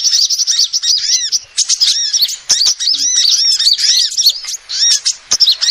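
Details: Female sunbird calls used as a proven lure: rapid, shrill arched chirps pouring out in dense twittering runs, punctuated by brief dips and sharp clicks.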